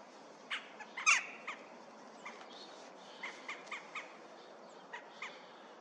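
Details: Western jackdaws on 25 January 2024 give short, sharp 'chak' calls, a loud cluster near the start and fainter ones scattered through the rest, over a quiet outdoor background.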